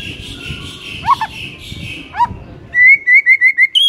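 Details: White-rumped shama in the morning, with an 'ngeplong' singing style: two brief sharp down-slurred notes, then a fast run of six clear whistled notes on one level pitch. A steady high hiss sits underneath.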